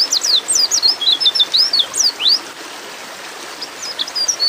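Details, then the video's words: A female white-eye in breeding mood calls for a male with a rapid run of sharp, high, slurred chirps lasting about two seconds, then a brief lull before fainter chirps resume. "terapi pleci bikin cepat ngalas"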